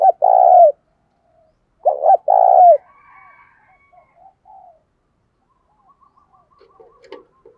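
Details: Spotted dove used as a decoy, cooing in the urging 'gáy thúc' style to excite other doves: two loud coo phrases, a brief double note then a sustained coo, followed by faint scattered chirps and soft background sounds.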